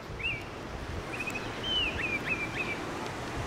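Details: Unusual song of a wild Baltimore Oriole at midday on June 5, 2021, in a regional park southwest of Willow Bunch, Saskatchewan, Canada: a short opening note, then a series of clear whistled notes, with faint background noise.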